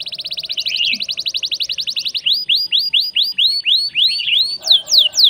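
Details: Canary song, loud and fast: a rapid trill of repeated rising notes, then slower upward-curving whistled notes about four per second, ending in steep descending sweeps, with a faint low hum behind.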